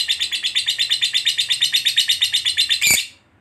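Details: Fighter lovebird giving the long ngekek, meant to stir other lovebirds to sing: a rapid, even string of about eight harsh chattering pulses a second for nearly three seconds, ending in a sharp click, then silence.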